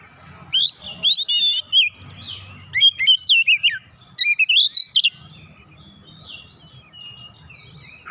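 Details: Oriental magpie-robin answering directly and persistently with isian song: dense sequences of sweet, rapidly slurred whistles and warbles for about five seconds, then fading faint high notes.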